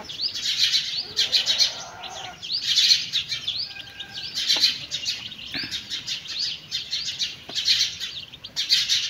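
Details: Chicks feeding beside their mother hen; clustered bursts of high, arched cheeps roughly once a second, separated by short pauses, with occasional dull pecking knocks in the background.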